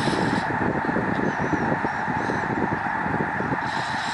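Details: Migrating Canadian Snow Goose flock at Lake Springfield, Springfield, Illinois, recorded from Lincoln Memorial Garden; steady honking roar with a few thin, high whistled notes above it.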